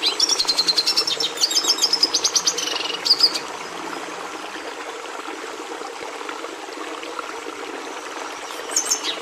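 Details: Red siskin giving a burst of rapid, high twittering trills for about three seconds, then near silence with quiet background hiss before a last brief high note.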